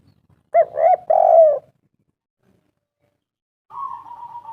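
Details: Spotted dove used as a lure to make doves call: two quick soft coos run into a longer, throaty, falling coo. A pause of about two seconds follows, then a fainter, higher, wavering note.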